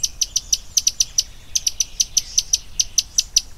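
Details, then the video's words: A common tody-flycatcher repeats crisp, very high tick notes, spaced irregularly at roughly four to five per second, steady in pitch and loudness against a quiet background. "Common Tody Flycatcher"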